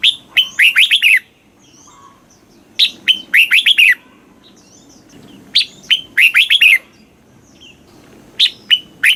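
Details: Red-whiskered bulbul song, Thai southern-style phrasing used to excite caged birds: short lively whistled phrases of four or five slurred notes, repeating roughly every three seconds with faint background chirps.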